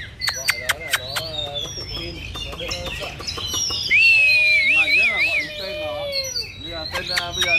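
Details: Oriental magpie-robin singing while fan-dancing in a competitive face-off with another bird: sharp clicks and short whistled notes, then a bright warbling, wavering whistle phrase mid-clip, with lower tonal notes beneath and background music.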